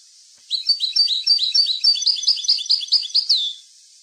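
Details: European goldfinch song, recorded for tutoring young goldfinches: a fast three-second run of bright, twittering notes, each a quick rising-and-falling chirp, repeated about twice a second, ending in a longer downward slur.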